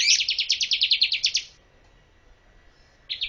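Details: Bar-winged prinia singing for bird training: one quick trill of about a dozen bright, slightly descending high notes, then silence and the start of another burst.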